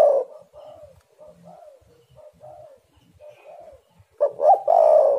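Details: Quiet soft spotted dove coos, several low falling notes in a row, then a sudden loud phrase of two short notes and a long rough coo, played to lure birds and get them singing.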